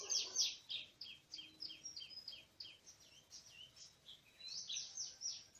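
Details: Wild Oriental magpie-robin in forest on a bird-trapping day, 24 March 2017; rapid series of high, sharp chirped notes, repeated about three per second, with a louder opening burst.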